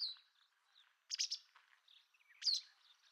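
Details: White wagtail: a few high, thin chirps and a short cluster of sharp notes, with quiet gaps between them.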